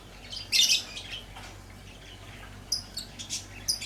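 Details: Lovebird chirping: short, sharp, high chirps and squeaky bursts, one cluster early on, then a scattered run of quick chirps near the end, over a quiet background.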